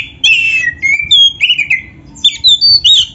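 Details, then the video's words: Oriental magpie-robin (kacer) song rich in mimicked phrases, for training other songbirds: sweeping whistles and falling slurs in a continuous flow, then a quick burst of higher chirpy notes. "MASTERAN KACER GACOR FULL ISIAN !! - Suara Burung Kacer yang cocok untuk Latihan"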